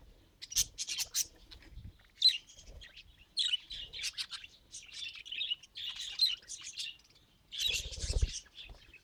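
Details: Pet budgerigar trying to talk produces long runs of high, buzzy, scratchy warbling with clicks and chirps, separated by short pauses, and a few low thuds.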